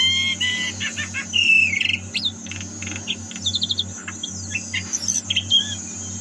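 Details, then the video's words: Javan myna in busy 'gacor' song, 2022: buzzy held notes, chirps and short whistled phrases in quick variety, over a constant low hum. "Suara Burung Jalak KEBO Gacor"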